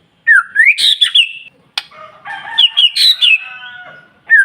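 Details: Morning singing of a white-rumped shama aimed at getting other birds to answer: a rising whistle into loud, buzzy high notes, then a scratchy, chattering stretch of mixed notes before a final clear whistle.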